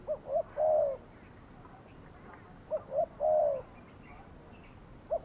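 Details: Spotted dove decoy bird used for trapping on a Saturday. Two cooing phrases, each two short low notes followed by a longer drawn-out slurred coo, with a quiet pause between phrases and a third phrase starting at the end.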